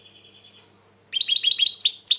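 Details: European goldfinch, described as very agitated lately, in 2020, sings: a buzzy twittering burst, a short pause, then rapid bright tinkling notes with fast up-and-down slurs, tumbling continuously.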